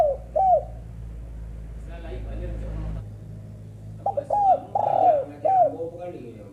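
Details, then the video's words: Female spotted dove: the end of one cooing phrase, then faint murmuring. A complete phrase follows with quick opening notes, a long buzzy coo falling in pitch and a final short hooked coo. "burung tekukur betina"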